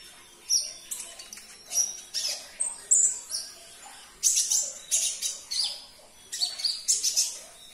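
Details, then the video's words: Olive-backed sunbird song, used to coax a caged sunbird into answering: shrill high-pitched chirping phrases, quick sharp notes and brief trills repeated roughly every half second to second. "Putarkan 1 menit saja video ini KONIN anda pasti langsung nyaut"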